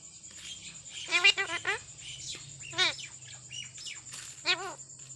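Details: A pet talking parrot gives three short bursts of speech-like chatter, with rapid wavering syllables, over a steady high electronic whine.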